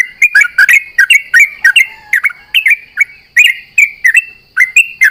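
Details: Sooty-headed bulbul in full dawn song during dew-bathing, trading calls with companions: a dense, continuous chatter of short, fluty, bubbling notes that dip and rise, delivered several per second.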